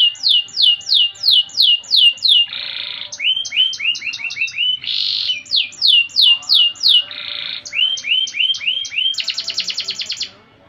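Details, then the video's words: Vigorously singing canary, 'gacor', in the 'cengkok mewah' (luxurious melodic) style, alternating runs of high descending whistles with short buzzy bursts and rising slurred notes, ending in a fast pulsing trill that stops abruptly. "Suara Burung Kenari Gacor cengkok mewah"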